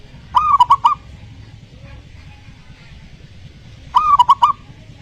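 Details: Zebra dove singing as bait for a reluctant terrace dove: two matching phrases about three and a half seconds apart, each a brief coo followed by a rapid stutter of short notes, with a quiet pause between.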